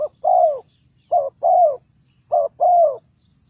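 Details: Spotted dove calling to lure wild birds into a trap: a low cooing phrase of one short note and one longer, downward-curving note, repeated three times about every 1.2 seconds, with a quiet low hum behind.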